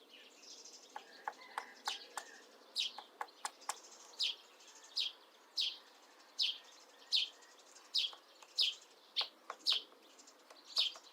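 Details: A female Syrian woodpecker slowly carving a nest hole in an old apple tree in mid April: sharp, dry, irregular taps scattered through the clip, under a louder run of bright, repeated downward chirps from another bird.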